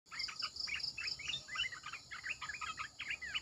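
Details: Red-eyed bulbul decoy song: a run of short, bubbly warbled notes, each sweeping up and down in pitch, repeated quickly and evenly; a rapid high insect-like ticking pulses above in the first half.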